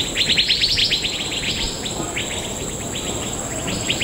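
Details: Large noisy group of Asian fairy bluebirds (Irena puella) in a fruiting tree at Bukit Timah Nature Reserve at dusk: dense overlapping chatter of quick downslurred chips, with a steady high insect drone throughout.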